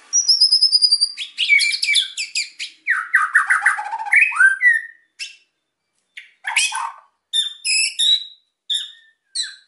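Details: Caged white-rumped shama singing energetically to provoke quiet birds into song: long high whistles, then rapid varied chattering phrases and scratchy notes, broken by short pauses and crisp repeated whistled bursts.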